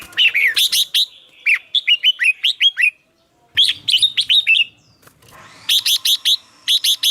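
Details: Red-whiskered bulbul song, a caged bird's song played to stimulate other caged birds: short bursts of bright, downslurred whistled notes with sharp clicks, in quick phrases separated by brief pauses.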